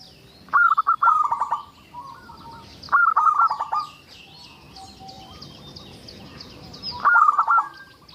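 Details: Local zebra dove in strong song, used to entice other zebra doves to sing: three rolling, stuttered coo phrases spread over several seconds, with busy high chirps of other birds throughout.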